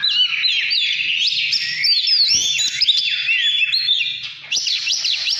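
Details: Oriental magpie-robin in heated 'căn lửa' mood, 2017, pouring out loud, continuous, varied whistled phrases with quick upward slides and warbles. A soft low hum runs beneath.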